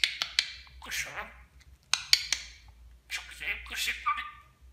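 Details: Pet budgerigar imitating Turkish speech; sharp clicks between high, raspy word-like phrases, ending with a short whistled note.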